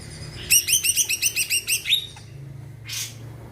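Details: Greater green leafbird, said to stir other birds to sing, delivering a rapid string of about eleven rich chirping notes, followed by a brief rustle.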